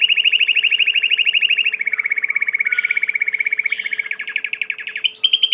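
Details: Song of a domestic Belgian canary: a long, loud, fast pulsed trill held steady for nearly two seconds, dropping slightly and continuing rhythmically, ending with a brief rising whistle.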